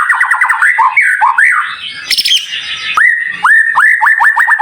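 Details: Dense, high-pitched white-rumped shama song for tutoring other shamas: quick descending note runs and looping whistles, a harsh rasping passage, then a crisp series of rising upslurred whistles repeated rapidly.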